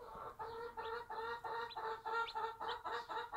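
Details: A Bantam mother hen with her one-day-old chicks on a small backyard farm: rapid, low, rich clucks, about four per second, with high, thin chick peeps sliding down above them.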